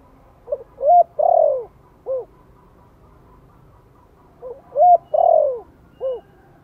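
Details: Spotted dove, soft 'Giọng Thổ' lure call for newly caught birds. Two phrases about four seconds apart, each with a faint lead-in, a sharp coo, a long drawn-out coo and a short final note. A low background hum runs throughout.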